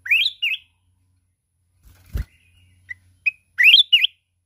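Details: Mountain red-whiskered bulbul singing in contest, wings flapping: two rising warbled phrases, a dull thump, a few sharp chirps, then another loud looping whistled phrase.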